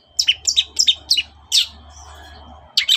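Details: Long-tailed shrike singing in the morning, used to provoke other birds into answering: a fast series of five harsh, chattering double notes about every third of a second, then a lone burst and a final pair after a pause.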